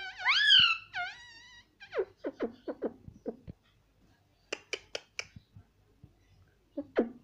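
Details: Pet parrot talking indoors, said to repeat "papa" and nonstop "mummy": two loud harmonic rising-and-falling vocal notes open, then a quick run of short clipped syllables, a pause, and a series of sharp bright bursts near the end.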